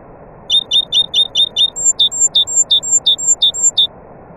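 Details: A nightingale sings a rhythmic phrase of pure, high piping notes. Six identical notes come first, then the bird changes to a second repeated note type given about seven times. Faint hiss sits in the background.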